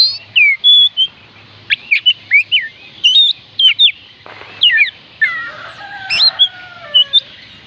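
An Oriental magpie-robin sings loud, clear whistled phrases in quick bursts, slurring up and down, with some buzzy trills mixed in; no other sounds intrude.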